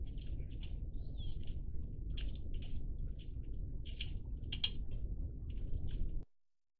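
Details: Iberian magpies, a group recorded 03-10-20, give scattered short, scratchy calls and one sharp higher note, spaced irregularly, over a low rumble that cuts off at the end.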